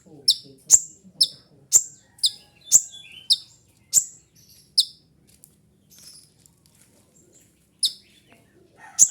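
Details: Sunbird singing a series of sharp, very high downward-sweeping chips, roughly two per second, then pausing before more chips, with faint low murmuring underneath; the song serves as a lure for training birds.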